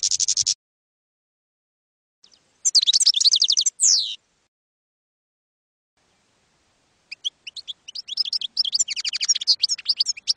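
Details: European goldfinch song in campero style, recorded for training young goldfinches: a half-second burst of dense high twitter, a long silence broken by a few faint notes, then quick liquid chirps building into rapid twittering.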